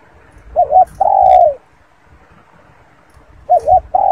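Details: Spotted dove repeating its phrase twice, a wavering double note then a long, smooth, falling coo, with a quiet pause of about two seconds between phrases.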